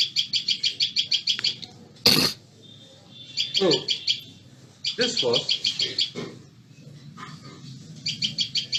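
Common Tailorbird giving loud, sharp, high notes in rapid bursts, about six a second, repeated in several runs; a man talks over part of it.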